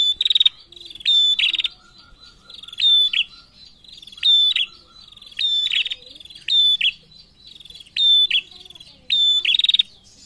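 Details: Persistent calls of a female prinia answering males: about seven bursts, each a piercing high whistle followed by a harsh buzzing trill of rapid ticks, repeated roughly every one and a half seconds.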